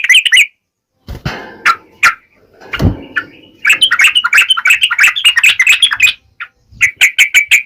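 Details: Yellow-vented bulbul giving sharp ngalas-style song to provoke other bulbuls to answer. A short phrase is followed by thumping and rustling noises, then a dense run of rapid, bubbly chirps and a final quick series.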